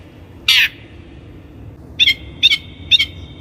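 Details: Long-tailed shrike (cendet), recorded as a lure for training birds: one harsh rasping squawk, then three quick doubled clicking notes, each followed by a thin drawn-out whistled tone.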